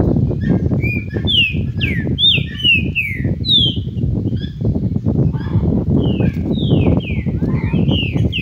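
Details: Green-winged saltator in the "Cadê meu boi" song style, giving a series of mellow downslurred and upslurred whistles in loose phrases, accompanied by constant low rumbling noise.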